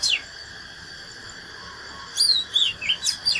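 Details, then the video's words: ['Oriental magpie-robin fighting song from a natural bird: after a quiet stretch, one quick phrase of sharp sweeping whistles and downslurred strokes near the end, over a soft steady background hiss.'] "KÍCH LỬA chòe than || Chích chòe than HÓT ĐẤU CHIM TỰ NHIÊN"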